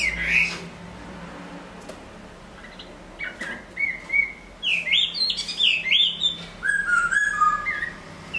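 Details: A moulting Chinese hwamei sings a rich, varied run of loud whistled phrases, rising and falling slides repeated rapidly, with a low hum underneath.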